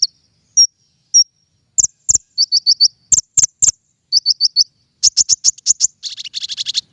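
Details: King konin singing as a bird-trapping lure: isolated high whistles, then runs of sharp chips, ending in a dense, scratchy chattering burst.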